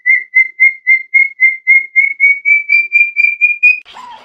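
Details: Pet Indian ringneck parrot gives about fourteen clear, high whistled notes, four per second, creeping slightly higher, then ends with a brief harsh squawk.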